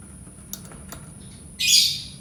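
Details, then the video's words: Lovebird call, played to coax other lovebirds into learning to sing: after quiet, a single harsh, shrill screech bursts in near the end, with a steady thin high whine running underneath throughout. "Suara lovebird Memancing burung lovebird belajar berkicau"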